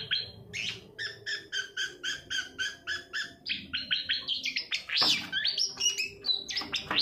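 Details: Long-tailed shrike singing, played as a lure so reluctant cage birds begin to sing; a steady run of short stacked buzzy notes about four per second, then faster mixed chattering and a sharp upward sweep.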